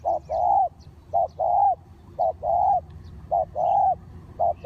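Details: Low mellow cooing of a spotted dove used to attract wild doves for trapping: four phrases, each a short clipped coo then a longer, slightly falling one, about once per second.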